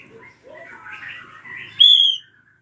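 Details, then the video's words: Ashy drongo meant to provoke untrained birds into singing. Soft scratchy chattering and warbling notes lead into a bright, high, pure whistled note held for about half a second. "JERITAN SRIGUNTING KRANTIL RAJA PALING COCOK BUAT PANCINGAN BURUNG BAHAN"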